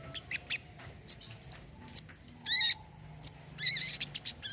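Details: Brown-throated sunbird (kolibri kelapa) song offered as therapy for birds that have stopped singing: sharp, very high chirps and short buzzy bursts, spaced irregularly, with a faint low hum beneath.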